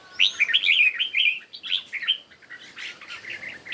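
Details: Competition song of a red-whiskered bulbul at morning, a loud, rapid string of rich warbled whistles, strongest at the start, then fading into softer, more broken phrases.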